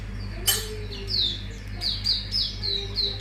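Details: Mangrove whistler lure recording showing its full repertoire: a sharp click, then a lively series of high, descending whistled notes about one every half second, with a soft lower tone underneath and steady hum.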